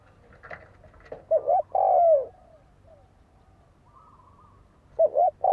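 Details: Decoy spotted dove calling to stir wild doves to fight: two cooing phrases, each a short paired note and then a drawn-out falling coo, over light background noise and faint clicks.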